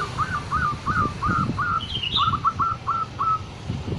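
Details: A zebra dove gives a string of short, hooked cooing notes, about three per second, while a thinner, higher bird call briefly joins midway over low rumbling background noise.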